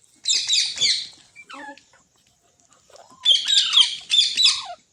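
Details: Green parrot kept at home letting out two loud bouts of grating, shrill screeching, each about a second long, with lower sliding squeaky notes in the pause between them.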